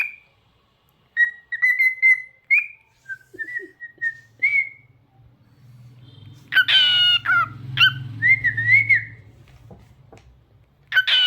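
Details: Cockatiel singing at home: a run of clear whistled notes around a steady pitch, some rising and falling, then louder harsh squawky notes and a wavering whistle, with a low hum and a person's voice in the background.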